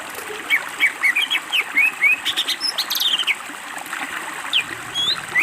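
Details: Greater green leafbird, master recording for training birds, pouring out a quick series of sharp whistled and buzzy notes, then a brief pause before a few high slurred whistles.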